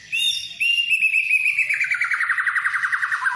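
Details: White-rumped shama song used as a lure to stimulate other birds to sing, a full song with varied phrases: a sustained high whistle, then a long rapid trill of repeated notes slowly descending in pitch.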